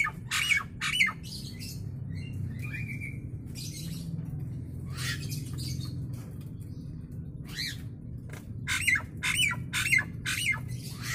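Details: Nias hill myna giving loud, harsh, broadband calls in short bursts, some with a ringing whistled tone, clustered at the start and again near the end, over a steady low hum.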